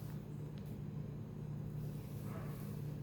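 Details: Steady low rumbling, like traffic or an engine, fills the recording, with no animal calls heard.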